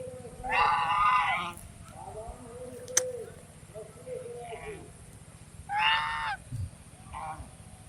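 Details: Swan uttering loud, harsh, many-toned honks, one near the start and another later, with softer, lower calls between them, all over a low continuous hum.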